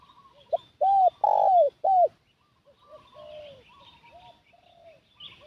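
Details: Lure spotted dove drawing in wild doves: a loud three-note arched coo, short-long-short, followed by quieter fading coos.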